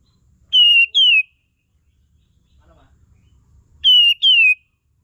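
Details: Sooty-headed bulbul calls used as a tutor sound to provoke singing: two paired, clear, downward-sliding whistles, then a quiet gap with faint rumble, then another matching pair of falling notes.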